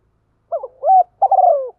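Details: Morning cooing of a decoy spotted dove calling in wild birds: one low phrase of two short notes, a smooth rising coo, then a longer rolling, falling coo.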